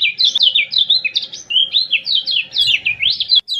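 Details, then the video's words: Common iora from Lombok singing a training song for captive birds: rapid, unbroken chatter of sweet whistled notes zigzagging up and down, varied and lively throughout, with a soft background hum. "CIAK CIAK JOS KECIAL KUNING PANCING EMOSI | PANCINGAN KECIAL KUNING MALAS BUNYI"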